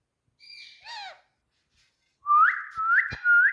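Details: Talking parrot in India producing two drawn-out whistled tones that break into a harsh downward note, then after a pause a run of three clear rising whistles, with sharp taps underneath.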